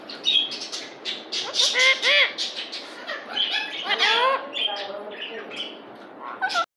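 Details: Pet parrot talking in a sweet voice, a run of speech-like squawky syllables with rising and falling harmonic notes, busiest in the middle and ending with a short sharp squawk.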